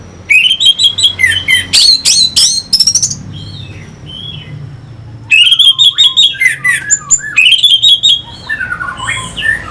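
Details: Orange-headed thrush singing as a stimulus for fighter birds: two loud bursts of rapid, varied whistles mixed with sharp, harsh notes, separated by a short, quieter pause with soft, slurred calls.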